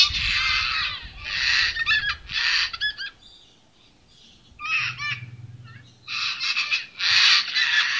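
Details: Sulphur-crested cockatoo at St Lukes Church, Gray, Palmerston, Northern Territory, Australia, near Darwin, giving harsh, raspy broadband screeches in bursts about half a second long, repeated irregularly with a quiet pause midway.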